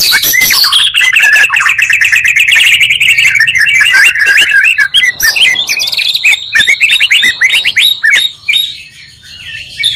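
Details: Oriental magpie-robin provoking song made from two singers: a continuous fast warbling trill stream for several seconds, then clipped chirps and whistles fading toward the end.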